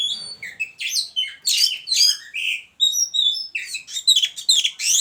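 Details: White-rumped shama in a hanging cage beside a mating pair sings a lively, varied string of whistled and buzzy notes, quick phrases following one another with short gaps.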